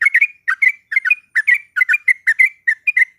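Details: Yellow-vented bulbul, a female calling a male and used to anger a rival: loud, clean bubbly double and triple notes, each burst slightly rising, repeated about three times a second.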